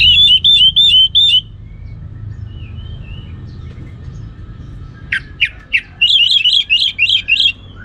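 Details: Kept orange-headed thrush from Singaraja, Bali, delivering 'ngeplong' song: a run of five rapid looping whistles, a pause with soft distant notes, then scattered sharp chips leading into another fast series of repeated whistles.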